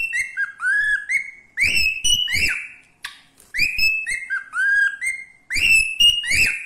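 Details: Pet cockatiel singing while playing on a toy swing: looping, slurred whistles rising and falling, mixed with soft knocking and rustling sounds.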